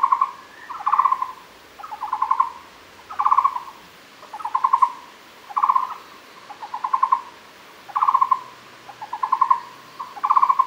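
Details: Muller's barbet at Fushan giving paired phrases of quick, rattling hollow notes, each pair repeating about every 1.2 seconds in a steady rhythm, in a narrow mid pitch band with soft background hiss.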